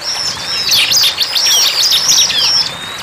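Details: Bar-winged prinia in the wild, singing vigorously: a rapid, high-pitched jumble of sharp chirps and thin whistles with a brief gap near the start and a drawn-out whistle at the end.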